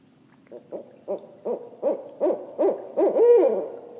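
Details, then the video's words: Barred owl giving its ascending call: about eight hoarse, evenly spaced hoots that grow louder and closer together, ending in a longer drawn-out hooted note, with a quiet background. "Owl, Barred Ascending"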